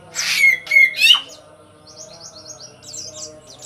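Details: Sooty-headed bulbul singing as a lure for untrained birds: three loud, bubbly notes in the first second, then a run of thin, high, rapid chirps from other birds over a continuous low hum.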